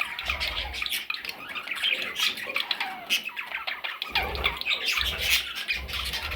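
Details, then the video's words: Parrot chicks producing steady harsh squawks and nasal chirps, continuous and overlapping, with bursts of low thudding noise. "Parrot Chicks"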